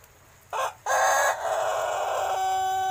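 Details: Young Pelung rooster about six months old, still learning to crow: a short opening note, then a loud, long harmonic crow held steady and ending in a flat, tonal tail, with faint background hiss.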